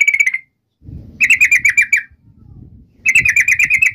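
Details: Yellow-vented bulbul song used as a lure to call a rival: short bursts of quick, sharp falling notes near the upper middle range, each burst lasting under a second, separated by gaps with low rumbling background noise.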